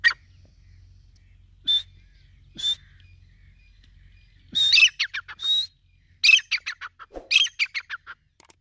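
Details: Grey francolin calling: two short, separate sharp notes, then a rapid run of loud, harsh, grating notes repeated in quick succession, a brief pause, and another burst of several ringing notes, over quiet background.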